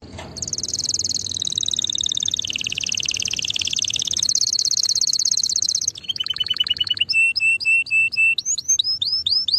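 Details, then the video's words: Singing canary delivering a long, rapid rolling trill that dips lower midway and rises again. It breaks into a burst of quick descending notes, then a series of clear repeated whistled chirps. "Singing canary"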